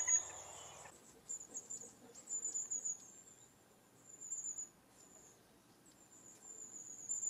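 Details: Long-tailed tit giving its high, thin 'tsee-tsee-tsee' contact call, which keeps a flock in touch as the birds move from tree to tree: trilling bursts every second or so, after a brief rustle at the start.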